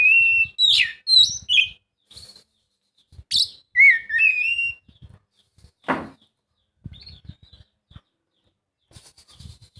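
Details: Lure song of an Oriental magpie-robin, meant to coax a lazy bird into singing: varied clear whistles and sharp chirps in quick bursts, separated by short gaps with soft low knocks and one brief thump.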